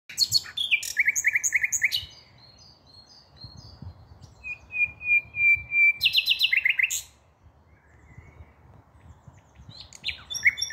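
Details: Common nightingale singing on 5 May 2023: loud bursts of rapid repeated notes and whistles, a long pure whistle swelling in volume, then a fast rattling phrase, with pauses between phrases; low rumble in background.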